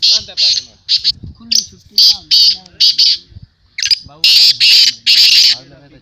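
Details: Black francolin (kala teetar) calling at a 2022 calling tournament: loud, harsh, grating bursts in a broken series, a few short notes then longer rasping ones, with men talking underneath throughout.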